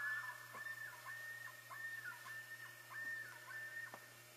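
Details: Common loons announcing the hatch of the first chick, recorded 6 5 13: a sustained clear whistled note with brief breaks, accompanied by scattered clicks and knocks beneath a low constant hum.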